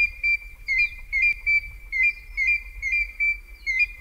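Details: African grey hornbill recorded in Kongelai, Kenya, giving a steady series of thin, plaintive whistled notes, about two per second, each slightly slurred, over a faint low rumble.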